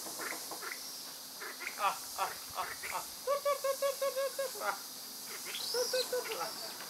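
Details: Kalij pheasant in Dang, Nepal: a quick run of about eight short, even, mid-pitched notes with harmonics over roughly a second and a half, set against constant high insect hiss and scattered faint chirps.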